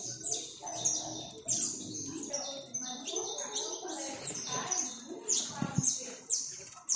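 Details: Saffron finches, a free flock of over 100 fed in a home backyard, keep up a steady stream of high, clipped, falling chirps, while lower warbling sounds and murmurs run beneath.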